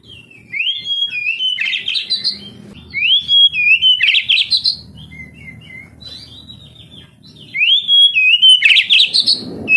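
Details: Oriental magpie-robin song for training young canaries to sing: three bursts of phrases, each a rising whistle followed by harsh, scratchy notes, separated by quieter gaps with soft background murmur.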